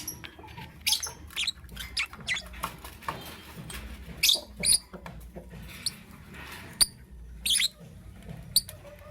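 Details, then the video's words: Lovebird in the morning, giving short, sharp, very high chirps and squeaks in scattered bursts, some doubled, over a steady low rumbling background noise with soft patter. "Amazing Lovebird - Beautiful Colors - Chirping Sounds"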